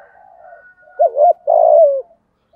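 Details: Decoy spotted dove, 'giọng thổ' song: faint low murmuring, then a wavering double coo followed by a strong, long note that slides down in pitch.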